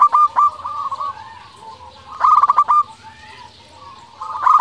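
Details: Zebra dove of local stock singing actively, played to stir rivals and make them reply. Stuttered bursts of rapid clipped coos open, recur midway and close, with softer trilled cooing between.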